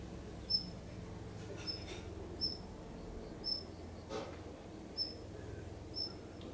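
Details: A single Daurian redstart perched on an electric cable above a garden on a sunny autumn afternoon gives six thin, high, whistled notes, one every second or so, over a low hum of distant traffic.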